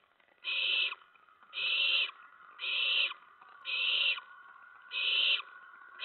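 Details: Owlets at night, September 10, 2017, while adult owls deliver a rat and mice. Six evenly paced, harsh hiss-screeches, each roughly half a second long, sound over a quiet, steady background.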